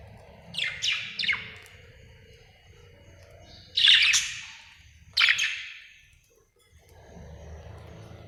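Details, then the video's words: A happy budgie gives a quick trio of descending chirps, then after a pause two louder, harsher chirps, over soft low background noise. "Happy budgie chirping sound"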